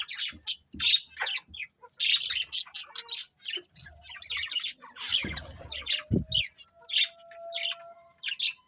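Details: Budgerigars chirping: dense, rapid scratchy chatter and short squawky notes in quick succession, with a few clear whistled tones and brief low thumps mixed in.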